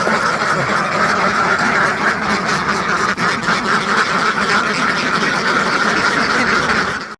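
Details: Hundreds of domestic ducks raised on a farm produce a continuous crowd of overlapping quacks, steady and loud until an abrupt cut at the end.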